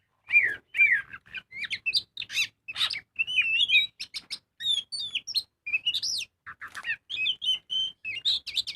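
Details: Magpie-robin (kacer) delivering energetic full song as a lure: continuous varied stream of sweet whistled slurs, rising and falling notes and sharp chirps, repeated motifs at high pitch, with a faint low hum.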